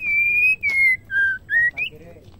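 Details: Female white-rumped shama whose voice is used to get males singing: a string of five clean whistles, long steady notes stepping downward, then two short rising notes, fading to a soft low murmur.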